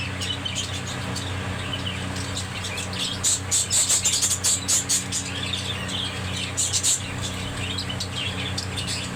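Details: Budgerigars chattering: quick high chirps and scratchy warbles, with a burst of sharp, very high ticks near the middle and again later, over a steady low electrical hum.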